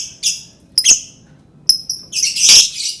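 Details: Lovebird calling to provoke other birds: short piercing chirps and sharp clicks building into a loud, harsh screeching burst at the end.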